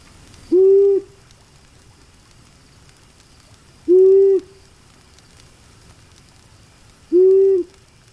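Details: Long-eared Owl recorded in the wild gives three soft, low, level, sigh-like hoots, each about half a second long and spaced roughly three seconds apart, over a faint background hiss.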